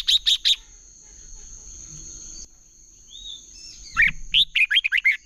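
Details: Red-whiskered bulbul competition song, a decoy for rousing birds: three sharp chirps open, a long quiet stretch with a steady high whine, a soft whistled slur, then a quick bubbly phrase of warbled notes.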